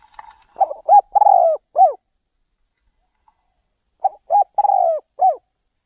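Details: Caged spotted dove decoy out luring wild doves in another province, cooing two phrases a few seconds apart, each a short rising-falling note, a long burry coo and a final dropping note, in otherwise quiet surroundings.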